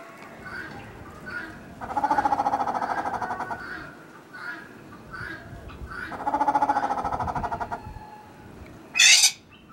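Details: Grey peacock-pheasant (Polyplectron bicalcaratum) courtship song: two loud, harsh, rapidly pulsed bursts about four seconds apart, with softer calls between and a brief high squeak at the end.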